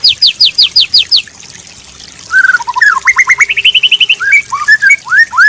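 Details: White-rumped shama training song with filler phrases for tutoring songbirds: steep down-slurred high notes, a brief lull, then varied rising whistles, quick repeated chips and upward-sweeping slurs.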